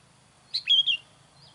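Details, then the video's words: Sooty-headed bulbul calling to draw in wild birds of its kind. One short whistled phrase, a sharp opening note and a liquid falling slur, is followed by a soft trailing whistle. "SUARA KUTILANG MANGGIL KUTILANG LIAR"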